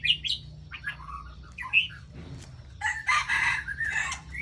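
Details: White-rumped shama from Ladong, Aceh Besar, used as a lure for trapping: a few sharp whistled notes, then loud harsh rasping bursts in quick succession, with a low steady hum behind.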